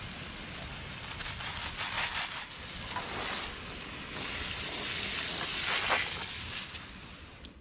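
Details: A steady broad hiss, like rushing water or a spray, swells and fades in a garden, with no animal sounds heard.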